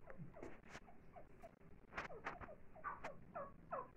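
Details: Grey francolin feeding its chicks: soft, slurred clucking notes with curved shapes, repeated several times a second in short bursts over a steady low background hum.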